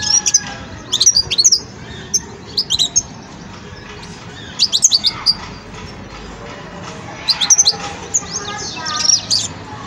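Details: High twittering from a young Wedani European goldfinch in its song-sorting stage: short clusters of bright, rapid chirps and buzzy slurs recur every second or two, broken by brief silences, over faint constant room hum.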